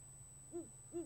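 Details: Great horned owl pair at a perch in February 2017, male hooting to call in a female: two short, mellow, arched hoots about half a second apart, with a faint steady hum behind.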